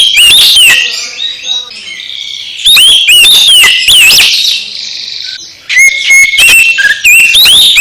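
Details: Loud Oriental magpie-robin song for rousing a silent bird to sing: dense bursts of sharp rising whistles and clicks, a scratchy buzzing warble between them, then clear level notes.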